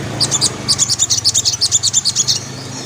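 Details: Energetic white-breasted woodswallow delivering 'ngriwik' song: a quick, steady burst of sharp, high-pitched twittering notes lasting about two seconds, with a low hum underneath.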